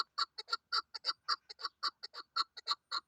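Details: Female chukar partridge kept as a hunting lure, giving a steady series of short, harsh clucking chuk notes, about five per second, each with a bright upper edge, in quiet surroundings.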